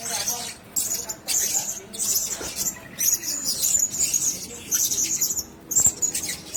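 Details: Blue-crowned hanging parrot (Loriculus galgulus), call.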